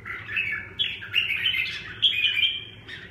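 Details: Red-whiskered bulbul, known as chào mào, giving a continuous run of bubbly warbled notes that rise and fall, with low background hum.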